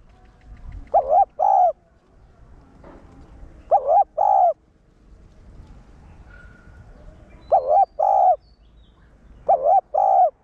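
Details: Spotted dove used as a caller bird, one-ending coo aimed at stirring wild-caught caged doves: mellow paired coos in four bouts spaced two to three seconds apart, a faint click and low background noise between them.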